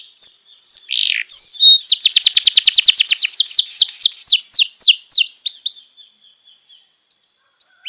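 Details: Canary song used as a tutor recording for young birds: a few high whistled notes, then a fast rolling trill of rising sweeps that slows into longer, down-slurred whistles, a pause, then brief high notes again.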